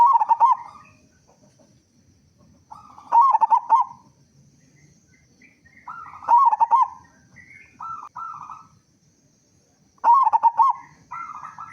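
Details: Local zebra dove with a strong voice sings warbling coo phrases at regular intervals, intended to make other doves start singing quickly, with a few softer coos between in a fairly quiet setting.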